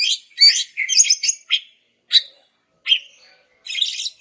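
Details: Greater green leafbird song meant to get silent males singing: short bright chirps and chattering notes in separated bursts, some rapid warbled runs, pauses between phrases.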